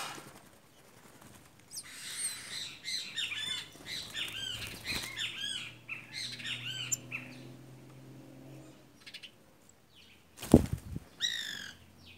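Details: White woodpeckers in a group taking over, giving a dense run of bright, arched, rasping calls that overlap in rapid succession, then a loud burst of wingbeats and a few final calls.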